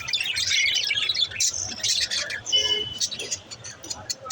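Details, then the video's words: Little budgies chattering, with rapid high chirps and squeaky warbling notes crowded together, a brief clear whistled tone in the middle, over a low background rumble. "Birds chirping sounds l little budgies"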